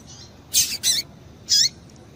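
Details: Female double-collared seedeater piping, a call used to stimulate the male to sing; three short high chips, two close together then one after a pause, each with a quick downward sweep, over a faint steady hiss.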